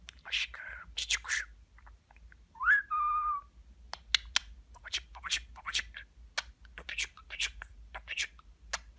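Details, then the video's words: Pet budgerigar talking indoors, its mimicked Turkish words such as babacık, aşkım and cici kuş mixed with short whistled notes, including a clear rising then level whistle mid-way and rapid scratchy syllables throughout. "Konuşan Muhabbet Kuşu"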